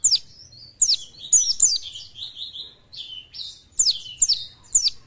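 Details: Oriental white-eye, Buckpar type and described as fit, gives high sharp downslurred notes in clusters, linked by softer twittering, with short pauses between bursts.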